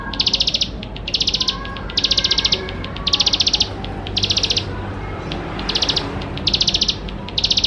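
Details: Lively bar-winged prinia, singing richly to prompt young birds: evenly spaced, very high rattling buzzes of tight rapid pulses, about one each second, steady throughout against a soft low hum.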